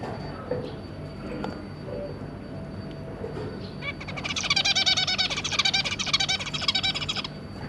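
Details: Zebra finches, two adults and their three juvenile young, 2 August 2022: quiet start, then about three seconds of fast, dense, buzzy repeated notes over a low background rumble.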